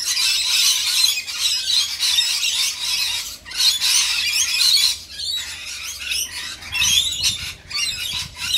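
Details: Shrill, grating screeches and rasping chatter from many rainbow lorikeets during feeding, overlapping continuously with brief lulls near the middle and end.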